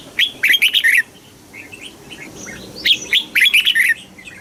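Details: Thai red-whiskered bulbul singing the southern master pattern, used to stimulate caged birds and train chicks: two lively phrases of rapid, rolling whistled notes separated by a quiet gap with faint softer calls.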